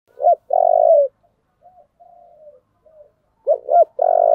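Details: Spotted dove singing in the Vietnamese 'giọng thổ' style: a low coo phrase of two short hooked notes and a long purring note, quiet trailing coos, then the phrase begins again.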